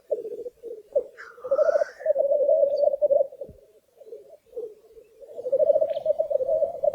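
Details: Several black grouse at a Swedish lek, growing less eager to fight as the wind rises: steady low bubbling rolls, warbling and pulsing, broken by a sharp rising hiss around one second in, with faint higher calls.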